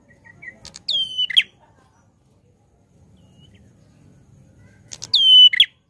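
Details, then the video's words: A prinia sings loudly, giving two whistled phrases about four seconds apart, each sliding down to a level tone and finishing with a scratchy note; quiet rustling fills the gap. "Suara Prenjak Klawu Gacor Lantang"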